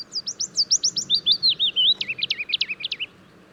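Willow Warbler song: a sweet, liquid phrase of about twenty soft notes that slides gently downward in pitch over three seconds, ending in a brief flourish; faint background hum.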